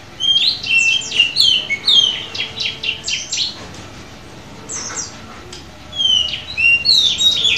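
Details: Oriental magpie-robin (kacer) offered at auction in Semarang, recorded at midday, delivering varied loud whistled phrases, sharp slurred notes and rising and falling trills in bursts, with a quiet pause midway before the phrases resume.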